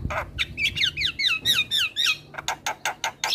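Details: Energetic Javan myna singing for training young mynas: falling squeaky whistles run together, followed by evenly spaced harsh rasping notes.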